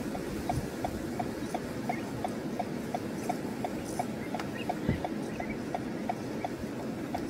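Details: A juvenile Black-winged Stilt at Etang de Vaccarès, Camargue, France, on 21 August 2022 gives short, clipped piping notes, close to three a second, over a steady rush of wind and low rumble.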